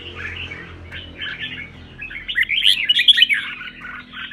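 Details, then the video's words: Caged contest red-whiskered bulbul trained for fighting song starts with scattered chirps, then rises into a quick, bright run of sharp whistled notes in the second half, with a low hum behind. "CHÀO MÀO | Luyện chim hót hay hót đấu - thúc bổi căng lửa"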